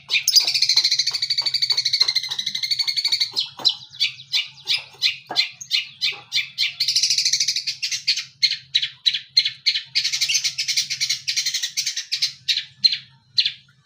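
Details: Young long-tailed shrike practising mimicry of cililin and tengkek buto songs: dense buzzy trills alternating with fast series of sharp clicking notes, roughly three per second, over a faint low hum.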